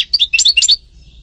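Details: Singing European goldfinch, known locally as sṭila or umm qnin, giving one rapid run of bright, high chirps and liquid twitters that lasts under a second and then stops.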